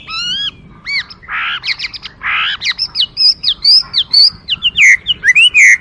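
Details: Chinese hwamei mixes clear whistles with harsh, raspy bursts, then breaks into a fast, tumbling sequence of short high slurred notes and chirps.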